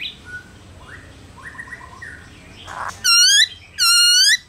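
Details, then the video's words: Two loud, full whistled notes from a black-throated laughingthrush, in the forest-voice song used to rouse other birds, follow soft distant chirps over a faint noisy background. "Khướu Hót giọng rừng HAY kích khướu bổi,luyện khướu bổi hót nhanh căng lửa"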